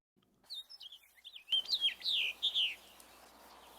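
House Finch song: a quick, jumbled run of high, squeaky warbled notes, rising and falling, ending in a burry slurred phrase.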